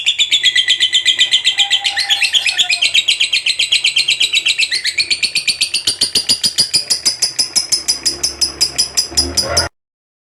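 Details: Lovebird of the fighter contest type, a vocal bird, gives a long ngekek chattering song: a rapid, steady run of harsh, high, buzzy notes that climbs slightly in pitch for almost ten seconds, then stops abruptly.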